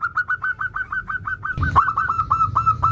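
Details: Local zebra dove in steady 'nutut' song, used to spur other zebra doves: an even chain of soft, quick coos, around five per second, with a brief rattling noise midway.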